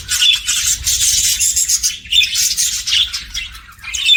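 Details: Budgerigar chirping happily, a pet bird giving loud, busy, high-pitched chatter with scratchy warbles and short squeaky notes in irregular bursts over a quiet low hum.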